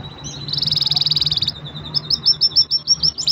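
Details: Green canary in full song, a rapid high trill held about a second, then a string of quick repeated whistled notes roughly five per second, over a low steady hum.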